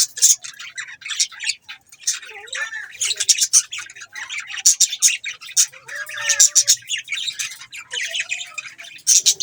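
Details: Budgerigars, Australian parrots, chirping: dense bursts of high, scratchy warbles and short tweets, overlapping and fast, with a few lower squeaky notes between the louder bursts.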